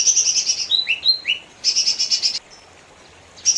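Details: Lesser green leafbird, mini form, delivering a buzzy high trill, then a run of short descending whistles and another dense buzzy burst, ending in quiet before a final trill.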